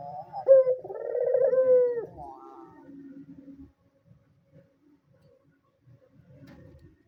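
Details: White dove giving one vigorous coo, a bright clipped start flowing into a trembling, slowly falling purr, followed by a faint trailing hum and then near silence. The recording is offered to coax hesitant doves into calling.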